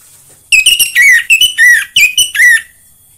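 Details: Orange-headed thrush, anis merah, sound used to get kept birds singing: a loud fast phrase mixing rasping buzzy notes with clear downslurred whistles, about eight elements in two seconds.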